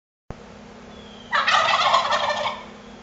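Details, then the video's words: Turkey gobbling during a duel between rival birds: one loud, rough, rapidly pulsing gobble lasting about a second after a quiet start, over a steady low hum. "turkey duel"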